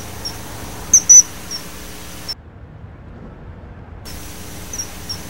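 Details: Common kingfisher giving shrill, high whistled notes, a loud pair near the start followed by softer isolated peeps; the sound briefly drops out midway, with a low background hum.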